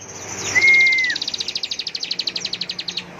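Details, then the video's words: Bar-winged prinia, locally ciblek, in ngebren style: one long steady whistle dropping at its end, then a machine-gun trill of crisp high notes, roughly ten per second, running on for two seconds. "Ciblek gacor NGEBREN suara penuh emosi tembakan full power"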